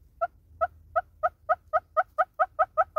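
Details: Southern red-billed hornbill in South Africa starting a clucking series: single notes spaced out at first, then quickening and growing louder, as the call becomes more emphatic.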